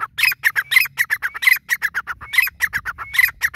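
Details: Grey francolin calling in a loud, fast, continuous series of harsh, grating notes, rhythmically repeated several times per second, with occasional thin whistled slides mixed in.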